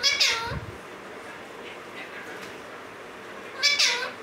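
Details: Male and female Alexandrine parakeets in a cage; a bright harmonic call opening the recording and another near the end, both falling in pitch, with a soft low knock after the first.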